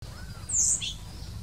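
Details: Blue-throated flycatcher singing in India: a single brief, very high, bright whistled phrase that sweeps down, followed by a short lower note, over a quiet low background hum.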